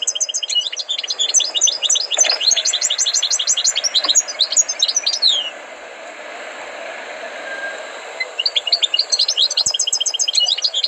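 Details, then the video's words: European goldfinch giving a trained, tutored song: rapid runs of high twittering, tinkling notes, a pause of about three seconds with faint background hum, then the quick chirping phrases resume. "غناء حسون قمة في الأداء غلطة لا _Chant du chardonneret"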